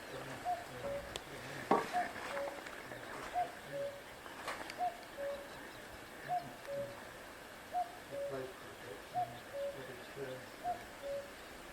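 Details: Common cuckoo in Britain in summer 2024, repeating its two-note 'cuck-oo', the first note higher and the second dropping, about every second and a half, with a few clicks and handling knocks.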